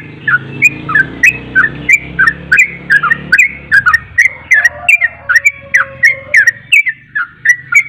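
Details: Loud, persistent song of a Javan pied starling: a long run of whistled, slurred notes with crisp clicks, roughly three per second, over a low rumbling hum that fades midway.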